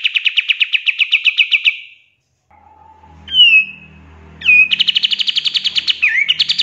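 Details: Pied triller in 'tembakan' song used for training songbirds: a fast, even trill, a quiet gap, a downslurred whistle, then a long rapid trill that rises and ends in twisting notes.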